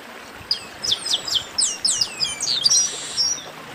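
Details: Esquenta (warm-up) song of chestnut-capped blackbird: sharp descending whistled notes repeated in quick succession, ending in a bright upward-sliding whistle.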